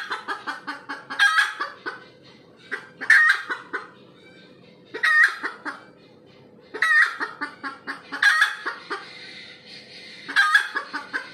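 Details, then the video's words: After laying an egg, a red junglefowl cackles repeatedly: six harsh squawking bursts, each trailing into a run of quick clucks, against a constant low background drone. "AYAM HUTAN SELEPAS BERTELUR"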